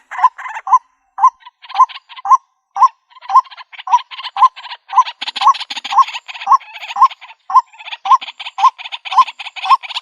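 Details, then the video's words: Calls of a white-breasted waterhen used to draw birds into a trap in the country: short, hooked, nasal notes about twice a second, starting sparse and then thickening with raspy overlapping bursts. "Bird Sounds White breasted Waterhen Bird ( Water Cock Soun)"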